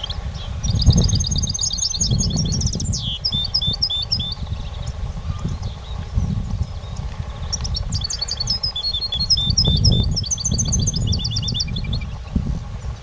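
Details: European goldfinch singing in competition, delivering two bursts of rapid, liquid high-pitched twittering with quick trilled runs and tinkling notes, separated by a quieter pause, against constant low-pitched rumble and knocking.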